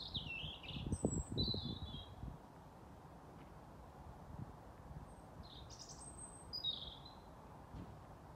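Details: At dusk on 28 April 2022 in Haga, Sweden, a European robin sings two thin, high, sliding warbled phrases several seconds apart, distant against a low background hum and rumble.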